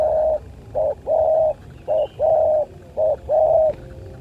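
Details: Spotted dove during a fight: loud, close series of hollow, steady-pitched coos, paired as a short note followed by a longer one, repeated three times in quick succession over a quiet background.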